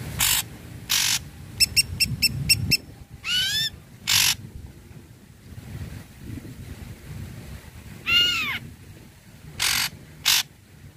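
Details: Ashy Drongo in lively full song, used to stir silent or untrained drongos into singing. Harsh broadband rasping bursts alternate with a quick run of stacked chipping notes and loud rising, ringing whistled swoops, with gaps between phrases.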